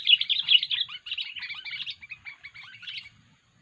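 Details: Sooty-headed bulbul giving an unusual 'poin' call used for luring birds: dense, scratchy chattering notes in rapid bursts, loud at first and fading over three seconds, with no other sounds.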